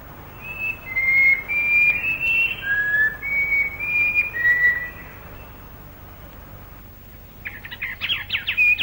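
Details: Later in the day a plain babbler in Malaysian rainforest, recorded late 1950s to early 1960s, gives forceful song: eight or so loud, level whistles in quick succession, then a burst of rapid chattering notes.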